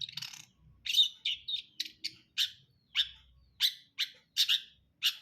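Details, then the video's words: Long-tailed shrike song, brundol style. Rasping, buzzy notes repeat roughly every half second, each a short harsh burst. Faint low rumbling sits beneath them. "KICAUAN CENDET BRUNDOL"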